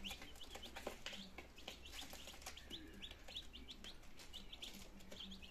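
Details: Healthy chicks, nineteen of them, on their second day in Germany, 17 September 2022, learning to eat and drink; repeated shrill peeps, often in quick pairs, mixed with knocks and rustling noise.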